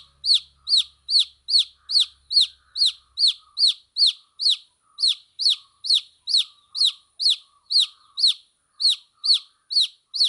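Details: Baby chicks peeping steadily: around twenty-two high, downward-sliding chirps in an even, continuous series, with little background noise.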